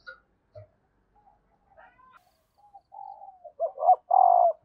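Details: A female spotted dove calls to stimulate a male, giving soft, low coos that build to louder hooted notes near the end.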